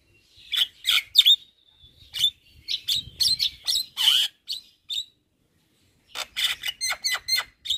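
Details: Tutor recording of a Javan myna chattering all day: clusters of clear high chirps and short whistles separated by silent gaps, with a final run of quick, evenly spaced notes.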